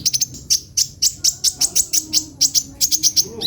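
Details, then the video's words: Sunbird giving a steady series of sharp, very high chip notes, roughly three to four each second, with a rising squeak at the close. "suara burung kolibri ninja"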